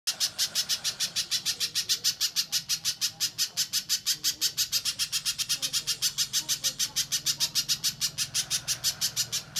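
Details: Little spiderhunter in full song, used as a lure and training model for contest birds: a long, fast, steady series of sharp, high, scratchy chip notes, about three per second, continuing throughout with faint low hum beneath.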